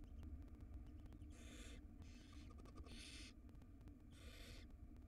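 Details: Wild barn owl nestling in a nest box, swallowing a rodent's tail; four harsh, broadband hissing bursts, each about half a second long, spaced roughly a second apart over a steady low hum.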